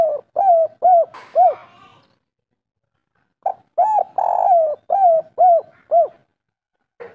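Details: Spotted dove of the local kuk 3 type, natural recording: a string of soft arched coos, a silent gap, then a second series with one long blurred coo among shorter ones, ending with a faint note.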